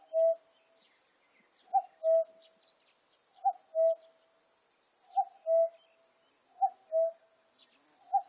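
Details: A common cuckoo repeats a clear two-note cuck-oo, the short higher note falling to a longer, lower one. Five pairs come roughly every one and a half seconds, with a constant high hiss and scattered faint high chirps.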